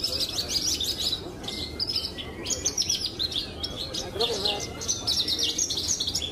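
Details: Caged pied Javan bush lark, a Brenjes Mania best-of-the-best champion, singing bursts of high, rapid chirps and trills broken by short gaps, with soft lower notes and murmuring voices in the background.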